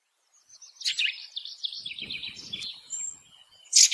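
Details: Ring ouzel singing a rapid, warbling phrase of high, slightly scratchy notes lasting about two seconds, followed by a sharp bright note at the end, with faint low rustling beneath.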